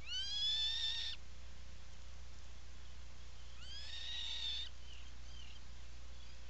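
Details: Atlantic puffin calling in its nesting burrow, Seal Island National Wildlife Refuge, Maine, 17 July 2018, afternoon: two loud, sustained, rising whistled calls about three seconds apart, each near a second long, with faint softer notes after.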